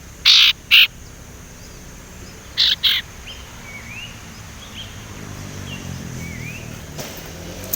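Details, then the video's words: Immature male Sumatran leafbird learning to whistle, kept as lure material. Two loud scratchy notes, a pause, then three more, followed by faint distant chirps and background hiss. "burung sirtu ngeriwik belajar nyiul"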